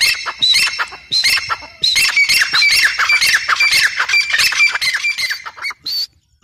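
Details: Grey francolin (teetar), female, giving a dense, continuous run of rapid harsh, squawking call notes, strongly rhythmic and ringing, ending in a single clipped note before silence.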